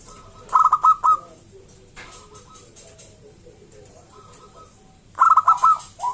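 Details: Local zebra dove song used to make other zebra doves sing; two short bursts of fast stuttering coos about four seconds apart, with faint quieter cooing between.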